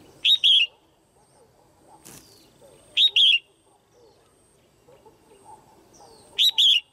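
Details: Female Red-whiskered bulbul in a cage, calling to stimulate males or for pairing. The same bright two-note phrase, a quick chip and then a longer falling whistle, repeats three times about three seconds apart. There is a sharp click between the first two calls.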